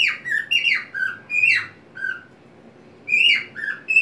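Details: Singing white-faced cockatiel, kept as a pet and swinging on a homemade perch in a small box; clustered shrill whistled notes falling in pitch, a silent gap of about a second, then another burst.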